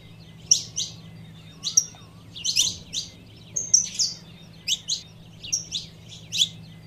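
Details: A female saffron finch calls to warm up the male with a dense sequence of loud, sharp chirps and short level whistles, repeated rapidly and irregularly over a low electrical-like hum.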